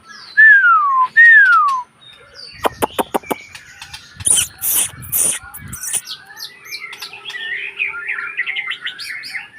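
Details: White-rumped shama (murai batu): two loud, clear whistles sliding steeply downward, then a quick series of sharp clicks, a burst of harsh rattling, and a run of soft, rapid, chattering warbled notes.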